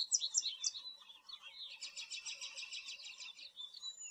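American Goldfinch song: a few sweet high notes, then a fast run of bright twittering trills, ending on a thin drawn-out whistle.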